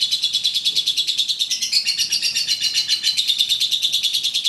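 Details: A champion contest lovebird in sustained ngekek song, said to last up to three minutes: a continuous, rapid stream of high, shrill chattering notes, unbroken and fast-paced throughout.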